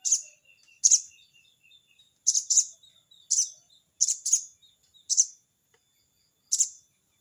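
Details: Crested jay calling a rival with its 'crecet cerecet' chatter: eight or so harsh, scratchy bursts, often in pairs, delivered irregularly over seven seconds with faint soft chirps between.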